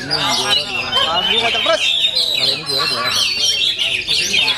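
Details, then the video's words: Oriental magpie-robin (kacer) singing at full power with a varied, rich style: fast, high squeaky whistles and chattering trills flowing continuously, with a man's voice speaking beneath the song. "OMEN KACER FULL POWER"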